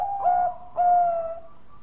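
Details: Zebra dove of the Bangkok type giving its sweet luring song, two long level cooing notes, each opening with an abrupt rough attack and trailing off softly.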